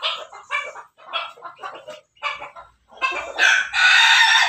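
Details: Crossbred Pelung and Bangkok chicken in a backyard making a series of short, stuttering, cackle-like notes that build into a loud, sustained, rasping crow at the end.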